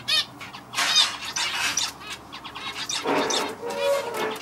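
A male zebra finch sings a quick run of buzzy, nasal notes and harsh rasping bursts.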